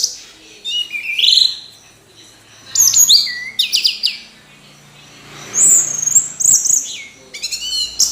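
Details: Orange-headed thrush giving separate bursts of sharp, sliding whistles and rattling notes, with short silent gaps between phrases and a faint low hum underneath.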